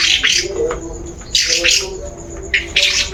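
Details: Long-tailed shrike lure song meant to prompt another bird into singing: three loud bursts of harsh, scratchy, high chattering notes, each about half a second long, with short pauses between them.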